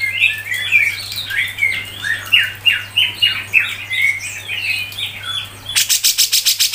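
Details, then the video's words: Grey-cheeked bulbul (cucak jenggot) in a songbird training recording, song styles called mbeset and ngepik: lively chirping phrases of short slurred notes rising and falling, then a rapid burst of dry buzzy ticking pulses at the end. "CUCAK JENGGOT MBESET NGEPIK RAPET | masteran cucak jenggot"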